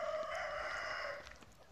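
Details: Chicken on a farm, the tail of a crow: a sustained harmonic note held for about a second, easing slightly lower before cutting off.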